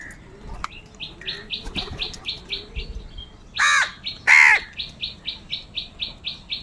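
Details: Crows fighting for food while eating together give two loud harsh caws in quick succession, set against a fast, steady series of high thin chirps from another bird repeating several times a second.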